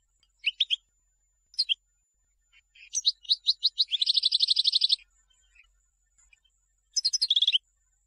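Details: Goldfinch song for tutoring chicks: sparse high chirps, then a series of clear upslurred notes leading into a fast buzzy trill of about fifteen pulses, and a final burst of quick twittering.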